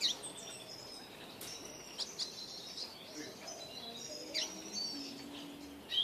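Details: A double-dilute mutation Eurasian siskin sings a rapid, high twitter of thin chirps and short slurred notes, with brief pauses, over a faint background hiss.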